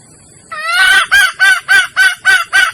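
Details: Red junglefowl hen from Sumatra, in heat, calling males as a lure sound: one drawn-out nasal note, then six clipped clucks evenly spaced about a quarter second apart.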